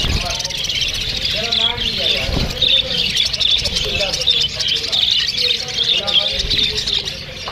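A flock of Australian parrots keeps up a constant chatter of high, quick chirps and warbles that overlap without pause, with a faint lower murmur beneath.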